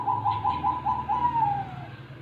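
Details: Zebra dove singing actively: a run of five soft, even cooing notes in quick succession, then a longer coo that slides gently downward, over a low steady indoor hum.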